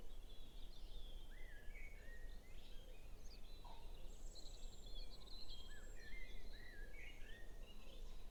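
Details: Songbirds in a May Day dawn chorus before sunrise, Norfolk cottage garden, phone recording: overlapping distant whistles, warbles and rapid trills from several birds, faint against constant low background hum.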